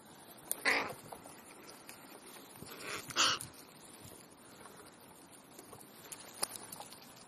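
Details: Crows gathering on an ordinary afternoon in Clara Zetkin Park, Leipzig: two harsh, hoarse caws about two and a half seconds apart over a quiet park background with faint distant noise.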